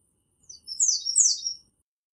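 An American redstart sings one quick, very high, thin phrase of sibilant notes lasting just over a second, set against an otherwise quiet background.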